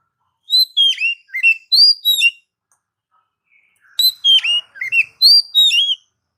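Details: Song of an Oriental magpie-robin, played to stimulate pet birds: two bursts of rapid varied whistles, slurred downward notes and sharp chips, separated by a short pause.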